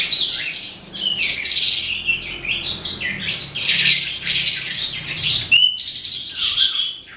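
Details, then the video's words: An eastern calandra lark sings late in the day, rapid scratchy warbles and chirps in a busy high stream, ending with a sharp upward note and quieter twitters. "Eastern Calandra Lark - Melanocorypha Calandra Psammocrhoa"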